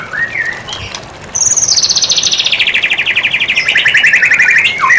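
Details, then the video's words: White-rumped shama in a tutor recording for training songbirds: after a few soft whistles, a loud, rapid trill starts high and slides steadily downward for over three seconds, ending in a dropping whistle. "Masteran murai batu"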